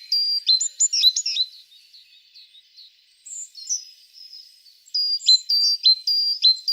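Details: Singing tit giving bright, high whistled phrases of sharply dropping notes, a quieter stretch with soft scattered chirps in the middle, then another fast run of repeated slurred notes.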